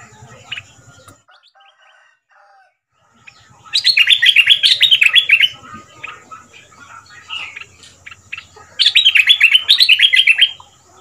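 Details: A caged Red-whiskered bulbul decoy from southern Thailand, dok taeng style with a 'double' line, gives two bursts of fast, rolling whistled notes about five seconds apart, with scattered soft chirps between.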